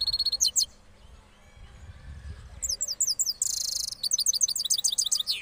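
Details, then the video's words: Cross goldfinch in Parachinar after moulting: brief twitter, a quiet gap, then a rush of rapid high tinkling notes, a buzzy burst and fast repeated chirps of rolling song. "Cross Gold Finch Part 3 After Moulting Rolling Songs"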